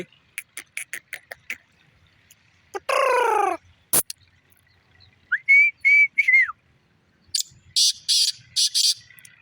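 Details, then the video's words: Black francolin call with quick ticking notes at the start, a descending harmonic squeal, a steady whistled phrase of three notes, then a closing series of harsh buzzy bursts. "Kala teeter ka awaz"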